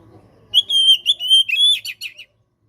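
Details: Singing Oriental magpie-robin in a tutor recording favoured by contest judges: one rich phrase of bright whistles, long even notes ending in quick warbled twists, after faint low murmuring.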